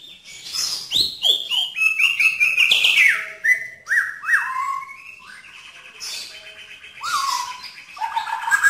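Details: White-rumped shama (murai batu) tembakan song: a rapid, continuous run of clear whistled notes, many sliding downward, rising and falling through the phrase with a few rougher, buzzier notes near the end.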